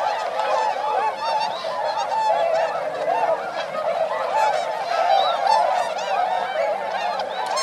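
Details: Flock of some 905 swans in flight at rice fields in Motono, Inzai, Chiba, Japan, December 2014; loud, dense overlapping trumpeting honks, many voices calling continuously with arched and wavering notes.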